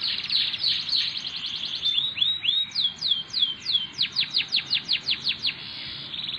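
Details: Canary song opening with a hurried buzzy trill, then rising and falling slurred whistles and a series of evenly spaced falling chirps, over faint background noise.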